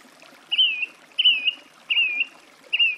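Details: Song thrush song with four short whistled notes, each rising then falling slightly, repeated roughly every 0.7 seconds.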